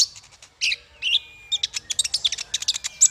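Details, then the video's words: High, busy twittering meant to train small fighter songbirds. Rapid chirps and squeaky notes run almost without a break, with a faint low rumble underneath. "Masteran paling merdu untuk burung faigter kecil"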